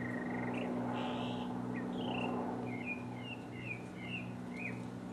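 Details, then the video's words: Solo mockingbird, recorded in 2015, working through varied phrases: a short trill, a smeared buzzy note, then a sequence of quick rising and falling slurred whistles, with a steady low hum beneath. "mockingbird Solo 2015"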